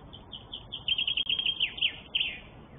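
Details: Northern goshawks in Tartu, Estonia: a loud series of about a dozen shrill, high, slightly rising call notes in quick succession, then a short pause and a final pair of notes, over a low background hum.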